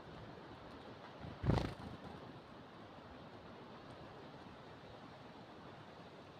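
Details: Low, steady rumbling background noise outdoors, broken by a single short thump near the middle; no animal voice is heard.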